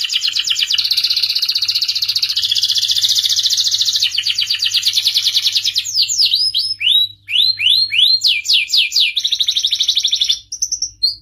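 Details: Excited canary song used to prompt males to mate and sing: a long, loud rapid rolling trill lasting several seconds, then a string of swooping slurred notes and a short whistled phrase.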